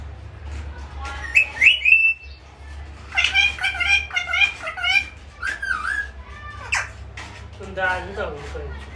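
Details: Pet parrot said to be saying "mummy", giving a mix of squawky, whistled and warbling sounds in quick irregular bursts, some rising and falling, with a faint low hum underneath.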